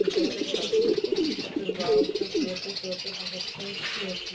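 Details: Black Shiraji pigeons kept in a cage at home give low, wavering coos that rise and fall in quick succession, with a person's voice heard at the start.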